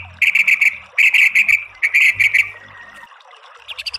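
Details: White-rumped shama in a training recording meant to provoke a bird into singing: bursts of four or five loud, harsh, rasping notes, repeated in quick series with short pauses, over a faint background hiss.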